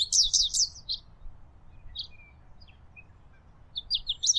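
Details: A wild American goldfinch sings a rapid, high, twittering series of bright notes in bursts at the start and end, with a quiet low rumble underneath.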